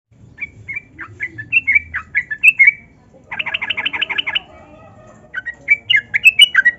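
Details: Yellow-vented bulbul song, played as a lure to get reluctant captive bulbuls singing: short bright chirped notes, then a rapid rattling roll of repeated notes, then more loud chirps rising and falling.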